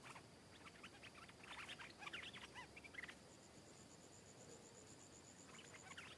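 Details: Wild stripe-throated bulbul arriving to sing back at and fiercely attack a caged bird: two bursts of quick, bubbly warbled notes in the first three seconds, a pause with a faint steady high tone, then a short renewed phrase.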